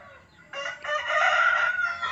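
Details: A hen (female chicken) crowing: a loud, harsh, strained cry starting abruptly after a brief quiet moment, with a short break and then a long sustained drawn-out note that fades slightly at the end.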